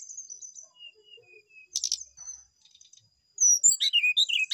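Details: Quiet thin whistles and a harsh rasping burst, then a brown-chested jungle flycatcher breaks into loud, tumbling high whistles and warbled notes, closely spaced.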